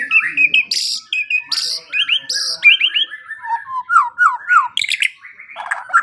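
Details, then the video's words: Morning and evening training song of a white-rumped shama: loud high bursts alternating with quick paired whistles, then a run of down-slurred lower notes and scratchy phrases. "Pancingan dan Masteran Pagi dan Sore Hari Murai Pendiam Langsung Ikut Bongkar Isian"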